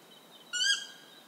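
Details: Stygian owl in Ecuador giving one short, nasal, harmonic-rich call lasting about a quarter second, slightly rising then easing off, over a steady high insect hum.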